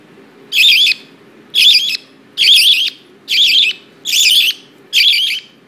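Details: A parakeet, recorded 7/5/10, gives six harsh, chattering screeches, each about half a second long, repeated roughly once a second over a low indoor hum.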